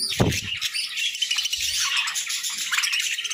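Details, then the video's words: Pet budgerigars chirping while eating grass and moringa during winter feeding: a dense, continuous, scratchy warbling chatter of high chirps, with a crunching sound of chewing right at the start. "Budgie Serenade Amidst Moringa Munchies!"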